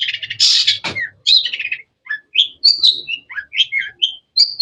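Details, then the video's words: Long-tailed shrike in varied, melodious song: a dense scratchy opening followed by a lively string of whistled notes that jump up and down in pitch, with short gaps between phrases. "Bird chirping sounds"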